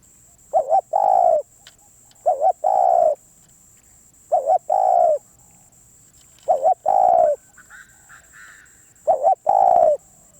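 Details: Spotted dove, said to be a wild bird, repeats its cooing phrase five times, roughly every two seconds. Each phrase is a quick wavering double coo, then a longer mellow drawn-out note. A faint whistling bird and a steady high whine sit behind.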